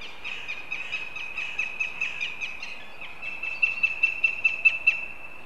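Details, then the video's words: Northern goshawk at a nest in Riga, on a live nest camera, starting its begging calls: a rapid series of short, sharp, ringing notes, about two or three per second, growing louder toward the end, over steady background hiss. "Goshawks Riga/BKUS ☆ Pērle begins with begging calls"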